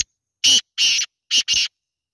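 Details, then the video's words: Black francolin call made of four loud, grating, broadband notes in two pairs, the first pair evenly spaced, the second pair quicker and tighter, with no background noise. "Kala teetar awaz | jungali kala teetar ki awaz | black teetar voice"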